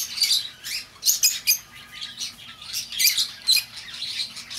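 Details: Lovebird sounds for bringing back an escaped bird: a string of piercing, squeaky chirps in clustered bursts about every half second to one second, loudest around one and three seconds.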